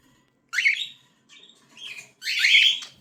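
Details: Young cockatiels utter three harsh rasping begging calls, the first sharp and rising, a softer middle one, then a longer loud wheezy screech.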